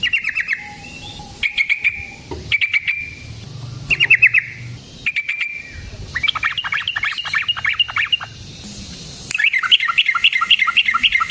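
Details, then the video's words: Yellow-vented bulbul in fighting-style song with long rolls, chattering, rolling and bursting notes, used as a lure: short chirp bursts giving way to rapid bubbly trills that grow louder toward the end. "Burung TRUCUKAN GACOR Ropel Panjang Cocok untuk PANCINGAN Trucuk bahan dan MASTERAN Burung Trucukan"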